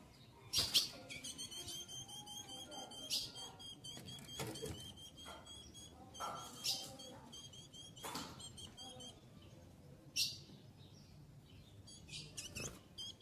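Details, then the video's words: Female ultramarine grosbeak (azulão) eager to mate, asking for courtship. She gives a rapid train of high, regular chips through the first seconds, broken by loud wing-flutter bursts, then scattered chirps and flaps. "Fêmea de Azulão Shakira Pedindo Gala"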